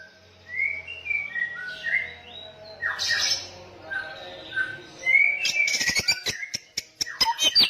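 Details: Samyong in persistent, loud song: soft gliding whistles and scratchy notes, then a faster passage of clicks and bright whistled slurs.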